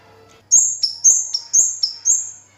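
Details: Kemade or cigen, the orange-headed thrush, in lively song: loud, shrill whistled couplets, each a high note dropping to a slightly lower one, repeated rhythmically about four times over a couple of seconds.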